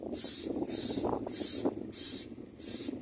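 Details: Common myna bringing food to its nestlings: five harsh, hissing rasps, each about half a second long, in a steady series under a second apart, with a faint low rumble behind.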